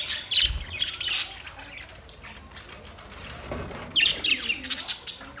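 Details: Budgies chirping: short bursts of high, scratchy chirps and squeaks in the first second and again after four seconds, with a quiet stretch of faint chatter between.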